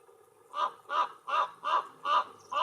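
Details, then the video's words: A Canarian raven (Corvus corax canariensis), an endemic subspecies, on Gran Canaria in July 2022 gives six harsh, hoarse, low rasping croaks with a slightly nasal edge in quick succession, about two per second. "Ronquido del Cuervo canario"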